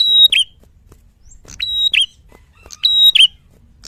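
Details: Clear training recording of a Red-headed tit's loud fighter-style song: three piercing phrases, each a held high whistle and a sharp downslur, about 1.4 seconds apart, over near silence.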